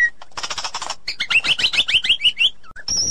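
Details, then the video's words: ['In the forest, a female white-rumped shama calls to the male with a brief harsh, scratchy burst, then a quick run of rising whistled notes. A single high steady whistle closes the sequence.'] "Suara Asli__Murai Batu_Di Hutan nyaring"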